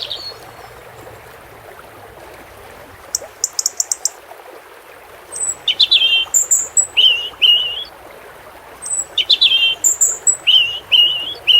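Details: European robin singing beside flowing water: after a quiet start, high thin trills and bright warbled phrases, some sliding and buzzy, come in short bursts over a steady watery hiss.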